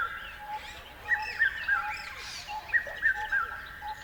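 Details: Bird calls in short groups of three clear, slurred mid-pitched notes, repeated about every one and a half seconds, with softer chirps from other birds behind.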